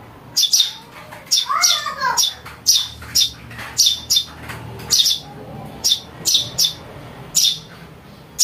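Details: Young house sparrow giving bright, high-pitched chirps in irregular bursts, used as a lure for catching birds; a lower, wavering squeal from another bird briefly overlaps near the start.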